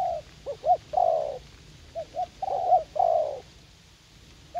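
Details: Young spotted dove eager to fight, placed as a garden decoy in U Minh, gives low cooing phrases of short bouncing pips running into longer, slightly falling mellow coos.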